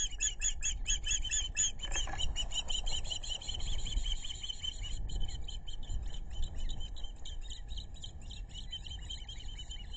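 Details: Webcam recording from an osprey nest with both parents and two chicks, Narrow (Pettaquamscutt) River, South Kingstown, Rhode Island, July 11, 2022: fast, steady series of piercing high chirps with ringing overtones, later softer, against constant low wind-like rumble.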